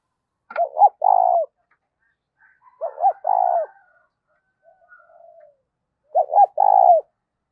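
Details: Spotted dove serving as a lure for wild doves, delivering three cooing phrases of two short notes and a sustained vibrating coo, with gentle murmurs and a faint click between.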